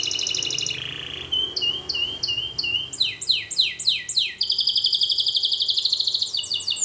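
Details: Canary song for training, rich and varied: a buzzy roll, short flute-like level notes, a string of falling swoops, then a long fast metallic trill, with light background hum.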